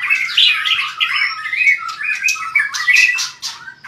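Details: Caged white-rumped shama singing hard with forceful tail-flicking: a dense medley of loud fluting whistles, slurred warbles and rasping notes, rising and falling in quick succession.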